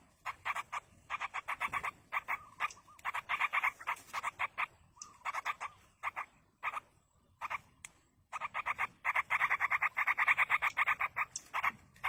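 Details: Begging of yellow-vented bulbul young fed by an adult in the wild, heard as nearly continuous rasping notes repeated rapidly in long strings, broken by a few short gaps, then resuming intensely.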